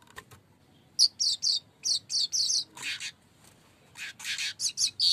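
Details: Lure song of a streaked weaver: quick series of high, sharp, buzzy chirps in short clusters, separated by brief pauses, with a harsher rasping burst near the middle, and a high whistled note at the end.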